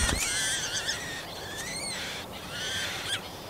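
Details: Marsh warbler at the nest feeding chicks, Kalinovsky forest park, Yekaterinburg, 30 June 2020; wavering, slightly rising and falling buzzy calls that run almost continuously, a brief click near the start.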